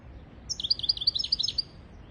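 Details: European goldfinch song used to teach goldfinches and canaries to sing: a quick run of about a dozen bright, high twittering notes over one second, each a short rising-falling chirp, against a low steady background hiss.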